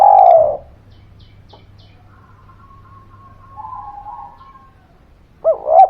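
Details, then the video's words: Spotted dove used to lure non-singing birds into answering: a loud coo fading out at the start, a long faint wavering note in the middle, and a rising double coo at the end over soft hum. "Suara Pancingan Derkuku Gacor Buat Pancingan Burung Malas Bunyi, Langsung Nyaut"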